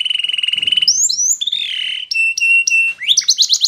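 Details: Canary song for training: a fast even trill on one pitch, upward-swept whistles, a long warbling note, clipped repeated tones and a closing series of rising chirps.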